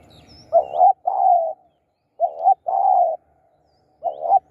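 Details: Decoy spotted dove used to attract wild birds, giving low mellow coos: a quick two-part note followed by a drawn-out hum, repeated three times with clear pauses, in an otherwise quiet setting.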